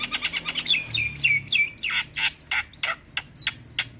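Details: Javan myna singing to stir other mynas into song: fast scratchy chatter opening into repeated downslurred whistles, followed by loud harsh notes spaced roughly every third of a second.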